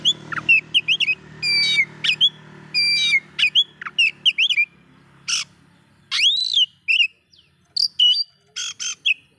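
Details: Oriental magpie-robin song used to stir up rival magpie-robins. It is rich and varied, with bright whistles, hooked squeaky notes and fast chattering phrases, and low background hum at the start.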